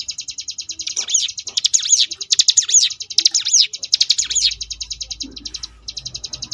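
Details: Sunda bush warbler in ngebrem variation, a master track played to contest birds; steady high rattling trill overlaid by repeated loud up-and-down swept whistles about once a second, with a faint low hum in the background.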